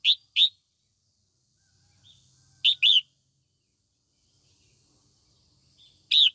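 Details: A female red-whiskered bulbul sings to provoke young males. Quick paired chirps come in bursts: a double note, a pause of two seconds, another close pair, then a final loud chirp. Faint low rumble between.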